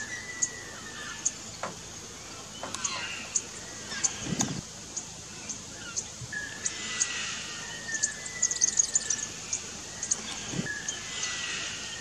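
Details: White-winged choughs, highly social birds in family flocks, in an Australian backyard give faint, drawn-out, slightly falling whistles over a steady run of high, thin chips and a few soft thumps.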